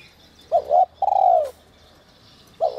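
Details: Spotted dove, 'te te' whistle voice used to stir wild doves: one full phrase of two short notes and a long descending coo, with the next phrase starting at the end. Faint high bird calls.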